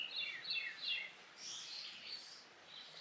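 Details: A grey wagtail on Amami Ōshima gives a quick run of high, thin, sharp notes, several slurring downward, about three a second, over a faint hiss of outdoor noise.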